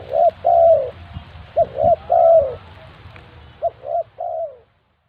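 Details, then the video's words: Spotted dove call used as a lure for trapping birds: soft, low cooing notes in short groups, a brief note followed by longer drawn-out coos, repeated three times with pauses between, over faint background rumble. "Burung tekukur pikat"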